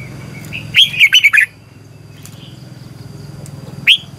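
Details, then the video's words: Red-whiskered bulbul, morning training song in the long twisting double-voice style, one loud burst of fast slurred whistled notes, then quiet with a faint call and a final sharp note, steady low hum behind. "Luyện chào mào hót sáng 2020 - Ép chào mào hót Giọng kép xoắn dài hay tuyệt, luyện chào mào hót"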